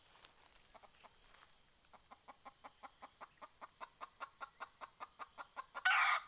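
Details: Decoy junglefowl hen luring wild fowl, 20 April 2020: after a quiet start, a long even train of short clucks builds steadily in loudness, ending with a sudden harsh, noisy squawk.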